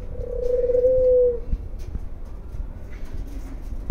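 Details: An Australian dove, kept as a pet, in the morning gives one long, steady, mellow coo lasting about a second, then falls silent over a low background rumble.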